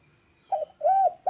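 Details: Clear, loud spotted dove coos: a brief wavering note followed by a smooth, arched, mellow hoot, with the next note starting as the sound is cut off.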